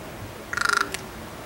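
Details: A male common raven during courtship in the San Fernando Valley, California, on 1 September 2024 gives a quick, throaty rattle of about eight knocking pulses in under half a second, then a sharp click, over faint hiss.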